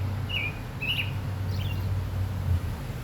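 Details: Oriole singing: two clear, slurred whistled notes close together, then a fainter third, over a steady low rumble of background noise.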